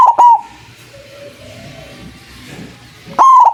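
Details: White zebra dove with a big voice, played as a lure for trapping doves: a loud, clipped pair of short tonal coos near the start, a quiet noisy gap, then another strong coo at the end.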